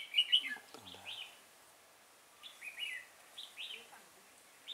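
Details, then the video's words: Red-whiskered bulbul at Chùa Hương, Vietnam, on 5 March 2018, during trapping with a decoy bird: lively whistled phrases in short bursts, a brief low human voice near the start. "Bẫy chào mào Chùa hương ngày 5/3/2018 phần 1"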